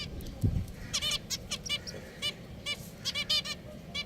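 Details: Pet finches chirping: crisp, high, nasal call notes spaced roughly every quarter to half second, a few overlapping, with a brief low thump near the start.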